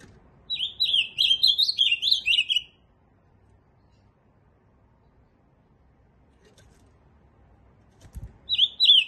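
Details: Ultramarine grosbeak opens with a two-second phrase of fast warbled notes, then a long silence before the next phrase begins.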